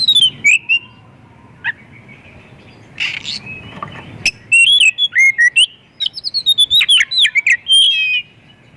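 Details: White-rumped shama song used to lure other shamas into singing; scattered opening notes and a scratchy burst give way to a long, lively stream of varied whistles, trills and slurred phrases in the second half.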